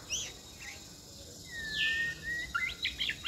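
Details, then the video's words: Quiet recording of a young caged White-rumped shama singing giong day style on a table: a long falling-then-level whistle followed by short sharp notes, over steady background hiss. "chòe lửa chơi giọng dây để bàn hót"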